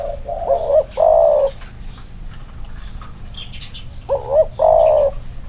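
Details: Caged spotted dove males compared side by side: two bursts of quavering coos ending in a long loud note, a quiet gap between, and brief high chirps of other birds.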